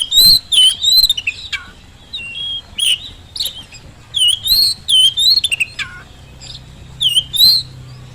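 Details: Lure song of an Oriental magpie-robin meant to make quiet birds reply: rapid chains of clear whistled phrases, frequent scratchy bursts, and occasional deep falling slurs, nearly three notes each second.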